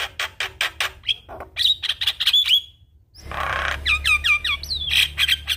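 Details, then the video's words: Javan myna in vigorous, energetic song packed with varied fill-in phrases: rapid harsh clicking bursts, then clear whistled notes, and after a brief pause a run of repeated quick rising-and-falling whistles over a steady low hum. "Jalak Kebo Gacor Full Isian"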